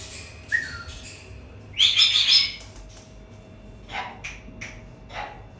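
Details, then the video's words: Three pet talking sulphur-crested cockatoos give a harsh, raspy outburst followed by several short, scratchy speech-like bursts, with a faint steady hum beneath. "KONUŞAN PAPAĞANLAR SÜLFÜR KAKADU ÜÇ ADET ÜÇÜDE KONUŞUYOR"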